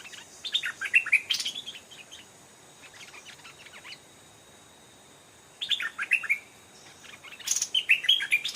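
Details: Wild, old, aggressive stripe-throated bulbul singing in response to a caged decoy bird and approaching the trap twice. Short bubbly, chattering phrases of quick warbled notes come in three bursts, with quiet gaps between them.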